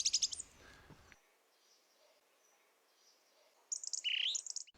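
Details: A song thrush sings in woodland in early spring, giving two short bursts of bright, high repeated musical phrases separated by a few seconds of near silence.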